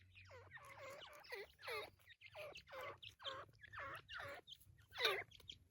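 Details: Irani teetar partridge giving a run of harsh, downslurred calls, about eight notes in quick succession over five seconds, over a low steady hum.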